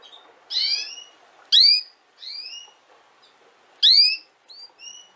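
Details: Canary sounds for young canaries learning to sing: a run of high rising whistles mixed with two loud sweeping notes with harmonics. The notes come about every half second to second, with soft background hiss.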